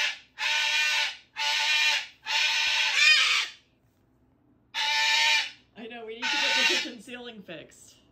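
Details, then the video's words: Two pet cockatoos, a Moluccan and a Goffin's, screaming loudly together indoors for no clear reason: long harsh broadband screeches, each about a second, repeated in a series, then a pause and rougher, wavering squawks. "Cockatoo drama (volume alert) - Moluccan and goffins scream together"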